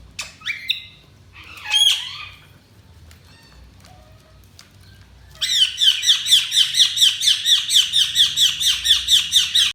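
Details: Budgies begin with a few sharp, isolated whistled chirps and a pause, then break into a long, loud run of rapid, scratchy chirps at a steady beat of about two per second.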